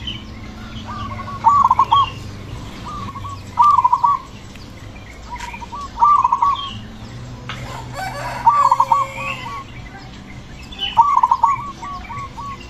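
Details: Zebra dove with a loud, full voice singing in the ngepat rhythm meant to draw out other doves: quick rolling coo bursts roughly every two to three seconds, with softer coos of other birds and steady background noise.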